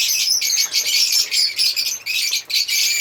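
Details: African lovebirds chattering in quick, high, scratchy chirps that come in short, dense bursts.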